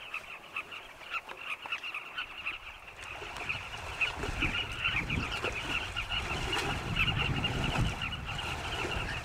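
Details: Flocks of Carmine bee-eaters at sunset over their nesting cliff in Zambia, carrying insects to chicks in tunnels; a constant rolling chatter of many birds, joined midway by a rising low wind rumble.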